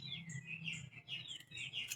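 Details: Pet bird, kept at home, giving rapid high chirps as food is offered; bright, slightly squeaky notes in quick succession for about two seconds over a faint low hum.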